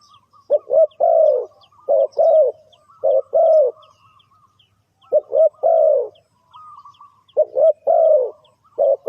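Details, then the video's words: Spotted dove cooing played to lure birds into a trap: four low phrases roughly every two seconds, each a quick stuttered note then a long rolling croo, over a faint high whistle and scattered thin chirps. "The Suara Tekukur"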